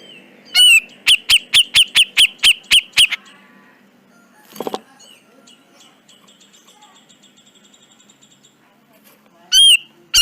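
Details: Black-crested bulbul (cucak jenggot), training recording: a rapid series of about ten loud sharp repeated notes, then a brief harsh burst, soft faint chatter, and two more loud slurred notes near the end.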